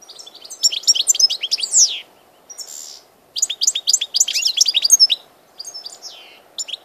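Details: Song of a European goldfinch, 16 March 2014: dense, fast twittering with slurred high chirps and a brief buzzy note, broken by short pauses between energetic phrases.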